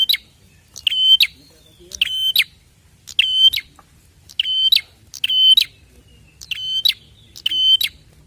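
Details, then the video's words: Prinia calls played to draw other prinias into answering. Loud metallic paired notes repeat roughly every second, each a harsh ringing buzz framed by sharp chips, in a persistent insistent series with little background sound. "Sekali putar burung prenjak langsung ikut bunyi!"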